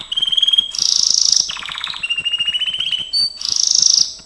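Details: Gloster canary song for training, a high buzzy roll, a descending rattle of pulsed notes, a sustained whistled trill and a brief pure tone before another rolling buzz, faint ticking under it.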